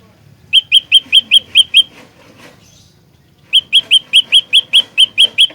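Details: Olive-backed tailorbird singing a lure song used for trapping, fighter style: two bursts of about seven sharp, metallic, identical chip notes in quick even succession, separated by a pause of nearly two seconds with faint background rustle.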